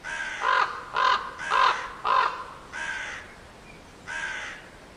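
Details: Four loud, harsh crow caws delivered about half a second apart, followed by two softer, longer and more drawn-out caws.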